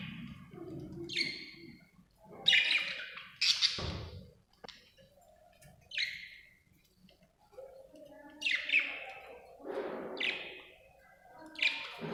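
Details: Happy budgerigar chirping: scattered scratchy chirps and buzzy bursts at uneven intervals, some sharp and loud, with brief quiet gaps and soft lower murmuring sounds between calls.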